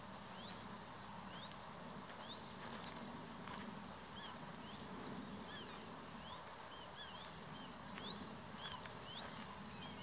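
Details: Common reed warbler in reeds beside the Bijleveld, a medieval drainage canal north of Kockengen, Utrecht province, very close by; a steady run of short, sliding chirps and chattering notes repeated throughout, over a constant rushing background noise.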